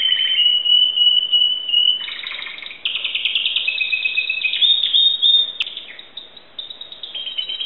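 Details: Timbrado canary from Greece, recorded in 2009, singing a continuous song: a steady high whistled note, then rapid buzzy trills and rolls, ending in a wavering high tone.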